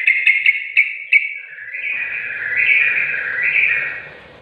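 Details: Sooty-headed bulbul training song for birds that sing little: a few sharp clicking chips at the start, then a longer warbling, wavering whistled phrase that swells and fades.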